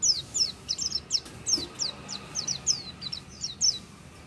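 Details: Oriental white-eye chattering in "gacor" style: a continuous stream of thin, high notes, each swooping down, repeated about three per second with little variation, over a faint steady low tone.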